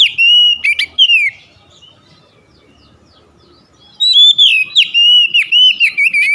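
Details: Lure song of the Oriental magpie-robin (kacer), played to get quiet birds singing: two bursts of loud, varied whistles and sharp chips, separated by about three seconds of near silence. The second burst is a fast, choppy sequence.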